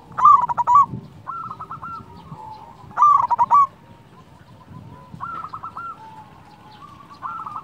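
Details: Local zebra dove cooing, used as a lure to stimulate silent doves to sing: two loud, rich bursts of quick hooked notes about three seconds apart, with softer cooing phrases from other doves between them.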